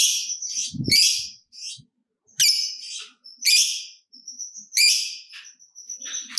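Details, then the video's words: Fighter lovebird, kept to stimulate other lovebirds into long trilling, giving harsh, high, scratchy chirps in short bursts with gaps of about a second, plus a thin sustained whistle near the end and a faint low thump early on. "Lovebird Gacor Ngekek Panjang"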